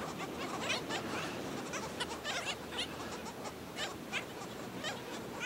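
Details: Nesting black skimmers with chicks at St. Pete Beach, Florida, give a rapid chorus of short, yapping, nasal notes from several birds at once, continuous and overlapping, against a constant windy beach hiss.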